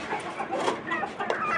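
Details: Native desi chickens on a farm with 29 free-running hens kept for eggs: overlapping soft clucks and short harmonic calls over a broad, hissy background.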